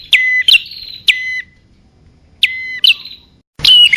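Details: Bar-winged prinia calls used to lure males and females: clipped, bright two-part chirps with a falling whistled tail, given in short bursts separated by pauses of up to a second, ending in an abrupt cut to a new phrase.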